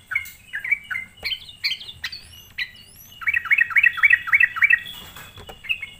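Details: Sooty-headed bulbul lure song meant to rile other bulbuls; scattered chirps and a few high thin upslurred whistles, then a quick run of six bright, bouncy notes, with a faint hum behind.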